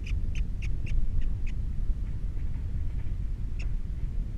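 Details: Osprey on its Captiva nest with three chicks, February 2022: a brief burst of five or six sharp whistled chirps that fades into softer notes, one more chirp near the end, and steady low wind rumble.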